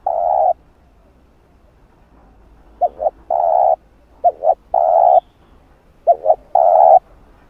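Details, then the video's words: Lure recording of a spotted dove's calling coo, urging notes and soft coos, used to provoke wild doves. A mellow phrase repeats three times: two quick short hoots, then a long sustained coo, on a quiet background. "Cu Gáy Giọng Hạp Bổi Bài Bản | GÁY GỌI + THÚC + Gù | Kích Cu Gáy Bổi Gáy"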